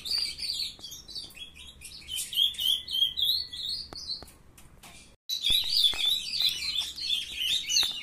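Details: High, rapid warbling from a brood of captive ultramarine grosbeaks, two bursts of busy chirped and slurred notes separated by a short silent break; recorded at 7:21 in the morning.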